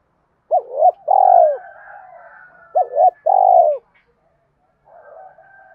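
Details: Captive decoy spotted dove in Đồng Nai, Vietnam, calling to lure wild doves: two phrases, each of two short, quick, bouncing coos followed by one longer, drawn-out, falling coo, about three seconds apart, over a faint background murmur.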